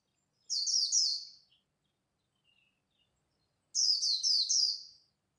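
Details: Two sharp khuyên líu phrases from a Japanese white-eye competing at dawn, each a quick run of high, descending twittery notes about a second long, separated by near silence.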